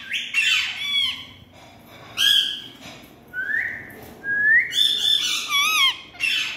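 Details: Green Indian parrots playing and running: loud, grating screeches in separate bursts, with smooth rising whistled notes between them and a final cluster of harsh, overlapping calls.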